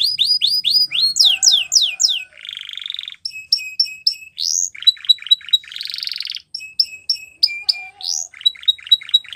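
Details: Canary training song: rapid repeated downslurred whistles, then a buzzy rolling trill, metallic chips and further fast rattling tours at varied pitches, each phrase repeated several times before switching.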